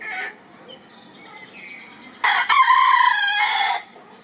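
A rooster gives one loud, harsh crow lasting about a second and a half, starting abruptly and holding a strained, wavering note before cutting off.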